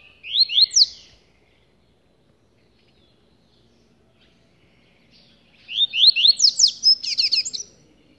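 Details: Caged rusty-collared seedeater held in the hand gives a short whistled phrase, a long silence, then a longer run of rapid rising notes ending in buzzy trills.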